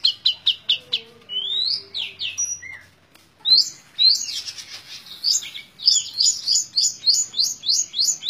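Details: Tembak ngebren song of a long-tailed shrike: a fast run of clipped notes, then drawn rising whistles, a brief pause, and a renewed stream of rapid, evenly spaced chips.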